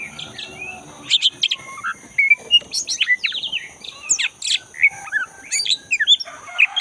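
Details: Black-breasted oriental magpie-robin (kacer) singing in the forest, used to stimulate a caged bird that has stopped singing: varied, loud whistled phrases, sharp chirps and slurred notes in quick succession, with steady high background hum.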